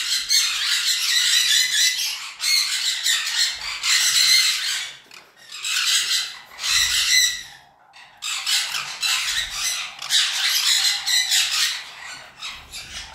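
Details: Sun conure pairs, DNA-sexed, let out harsh, grating screeches in rapid bursts, one after another.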